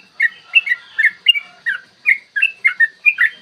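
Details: Yellow-vented bulbul in fighting 'ropel panjang' song, a lure to draw other bulbuls into singing and aggression; morning. Loud paired and tripled liquid whistles, each phrase sliding down, spaced by brief rests.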